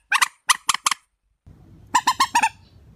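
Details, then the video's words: Warbler giving four harsh buzzy notes, then after a short gap a louder run of five clipped nasal notes over a low background hum. "tiếng chim chích"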